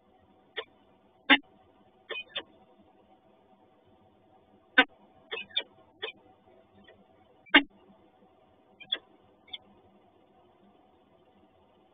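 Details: Scattered sharp clicks and taps at irregular intervals over a steady electrical hum, with no animal calls.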